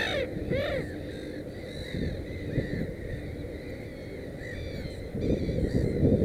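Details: Black-headed gull at a nest with three chicks giving harsh, arching calls, a few close together and then softer ones, over heavy low wind rumble.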